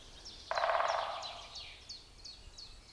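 A woodpecker gives a short, rapid drum roll lasting under a second, while another small bird repeats a high, thin chirp about three times a second.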